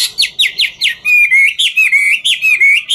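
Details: Ngũ trường hwamei dancing as it sings, opening with a quick series of sharp descending slurred whistles, then shifting to loud, clear looping whistled notes repeated about every quarter second.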